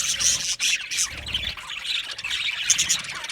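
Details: Budgerigars chirping contentedly: busy high twittering and short squawks running together with one brief dip, then brighter sharp chirps near the end.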